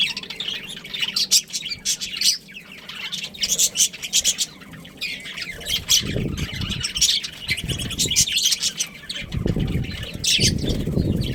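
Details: Breeding pair of pet budgies giving rapid high twittering and short squawks throughout, while dull low thumps and rustling bursts break in during the second half.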